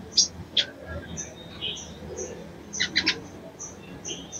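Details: Female sogon (sunbird) calling to attract males, giving thin, high chirps and quick ticking notes in short bursts over a faint background murmur.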